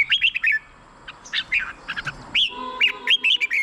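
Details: Red-whiskered bulbul, used as a decoy or to excite caged birds, sings bright bouncing phrases of quick whistled notes, pausing briefly, then resuming with a rising slurred note and more lilting phrases.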